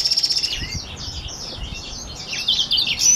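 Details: Song of a Black-throated x Reichenow's seedeater hybrid, opening with a fast high rattling trill, then a run of soft warbled notes that builds into louder high chirps and a thin whistle at the end.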